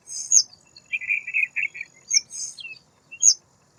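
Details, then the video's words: White wagtail calling: short high sharp chirps near the top of the range in two clusters, with a lower buzzy twittering run between them and a faint steady thin whistle-like tone running through; no other sounds. "White wagtail - (Motacilla alba) - White Wagtail Bird"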